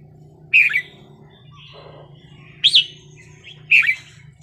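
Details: Red-whiskered bulbul wild-style song: three separate rich, warbling phrases spaced about a second apart, with soft fainter notes between them and a low hum.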